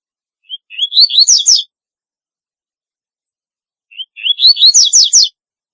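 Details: Double-collared seedeater, very distinctive singing: two phrases about three seconds apart, each a short whistle, climbing slurred notes, then fast buzzy downward sweeps. No other sounds.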